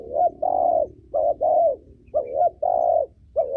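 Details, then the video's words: Spotted dove hen cooing, used to train young birds: close, loud, rapid pairs of low mellow coos, one long note after each short one, repeated three times without pause. "Cu gáy mái giọng hay, gáy, gù, thúc kích bổi tốt, tập chim non hay!"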